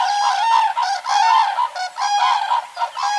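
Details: Common crane voices overlapping in a dense, continuous chorus of rolling trumpet notes that waver up and down, with no quiet gaps, as if several birds are calling together.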